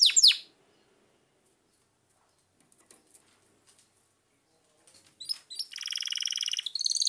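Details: Trained, hand-tame pet canary singing while perched in its owner's hand: a sharp sweeping note opens, then a long quiet pause with faint ticks, ending in a fast rolling, buzzy trill.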